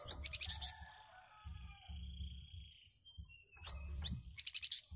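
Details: Flamboyan bird responding to nearby birds with its coarse, close-packed song: a rasping burst at the start, a long thin whistle in the middle, then more harsh rapid bursts toward the end, with low humming throughout.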